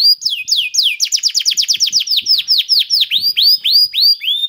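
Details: Canary song used to prompt others to sing: a few sweeping whistles leading into a fast trill of downward-slurred notes, slowing into louder, drawn-out curved whistles repeated about four per second.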